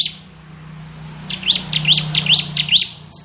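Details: Ciblek kristal (bar-winged prinia) singing ngebren style: a fast series of about six sharp, upward-sweeping chirps, roughly three per second, with a steady low droning hum beneath.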